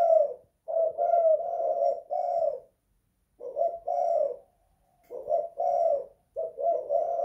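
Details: Spotted dove in a house repeating its cooing phrase, a guk or kuk style; groups of low coos, short notes leading into a longer held coo, separated by pauses of about a second.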